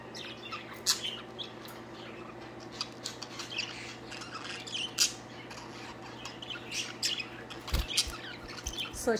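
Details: Pet budgies playing and singing, one flirting with another; scattered sharp squawks and chirps between softer scratchy chatter, plus an occasional knock and a steady low hum.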